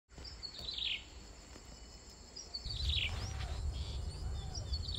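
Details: Hungry Yellow-vented bulbul chicks, five days old, begging while being fed: short high chirps in quick clusters near the start and again around the middle, over a steady low rumbling background.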